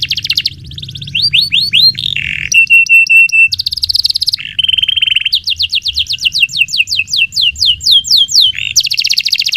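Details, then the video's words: Canary in full, long song, used as a tutor recording for white-rumped shamas and young canaries: fast series of downslurred whistled notes, buzzy rattling trills and steady flat tones, switching phrases every second or two. "Kenari Gacor Panjang utk Masteran Murai Batu Full Isian, Canary Singing"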